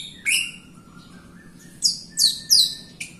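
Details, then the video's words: Jalak Rio myna singing to prompt other birds: a loud rasping note, then a long soft low whistle, then three quick harsh descending squawks close together and a short final chip. "JALAK RIO GACOR untuk pancingan RIO RIO BAHAN OMBYOKAN & MALAS BUNYI"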